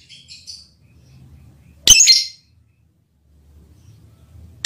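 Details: Mating call of a lovebird meant for its male partner: soft twittering notes first, then one loud, harsh chirp midway, and another sharp chirp cut off at the end.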